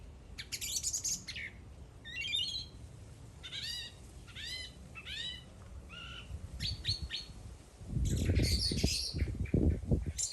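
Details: A bird singing, with a busy run of high chirps and short downslurred and stacked notes, then a burst of louder low rumbling noise near the end under more chirping.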